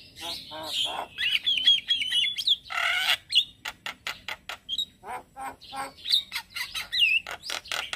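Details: A male Javan myna's morning song, used as a lure and tutor for starlings: whistled trills and a harsh burst, followed by a long run of sharp repeated clicks and chatters.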